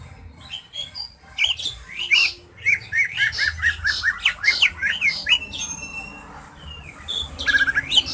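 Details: Greater green leafbird (cucak hijau) sings a rich varied song of rapid sharp chattering notes, clear whistles and squeaky phrases in quick bursts, used as a lure to bring another bird into breeding condition before a song contest.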